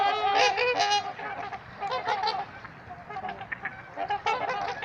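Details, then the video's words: Trumpeter swans at Gallup Park in Ann Arbor, Michigan, giving loud nasal honks, several birds calling over one another in rapid overlapping bursts, strongest in the first second, then a chorus of shorter honks. "Trumpeter Swans Making Some Noise"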